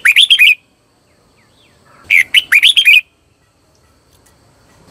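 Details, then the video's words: Red-whiskered bulbul singing as a decoy for calling wild birds: a short burst of slurred whistles followed after a pause by a longer, lively phrase of rising and falling notes. "CHÀO MÀO HÓT CHÉ GỌI BỔI CĂNG ĐÉT"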